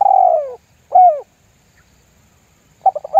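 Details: Spotted dove 'lambung guk' lure call meant to make other doves join in: a long, slurred, falling coo, a short coo, silence, then the quick stuttering notes that open the next phrase.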